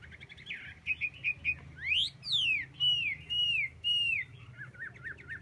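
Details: Chinese hwamei song: soft chattering notes, then loud sweeping whistles rising and falling steeply, followed by a series of drawn-out down-slurred whistles and a quieter rapid twittering close; low steady hum underneath.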